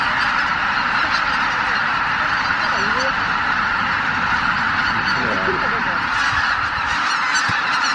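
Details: Huge flock of Greater white-fronted geese, over 83,000 birds, leaving the roost at Miyajimanuma at dawn, 23 April 2017, weather poor; unbroken honking roar with a few distinct, upward-bending calls standing out near the start and middle.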